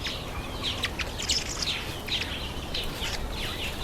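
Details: Masked weavers during the September–October breeding season giving a busy mix of sizzling buzzes and short high chirps, several birds overlapping in a steady chorus.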